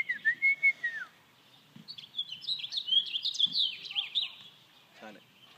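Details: Person whistles a short rising-falling note, then an American robin responds with a run of sharp, high, rapidly repeated chirps before fading to quiet.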